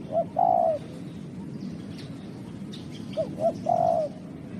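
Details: Spotted dove giving two complete cooing phrases about three seconds apart. Each has brief low hoots, then a drawn-out coo that falls at its close. A constant low rumble sits underneath.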